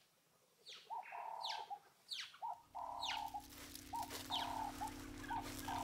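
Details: Helmeted guineafowl (Numida meleagris) in Africa, heard and stalked by a serval before realizing the danger and fleeing: a string of harsh, downward-slurred calls with nasal, droning notes.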